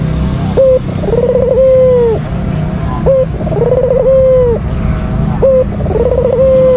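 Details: A white albino Barbary dove gives provoking calls toward a rival, three phrases in a row, each a short flat coo, a wavering trill and a prolonged steady coo dipping at the end, with a high steady electronic tone behind.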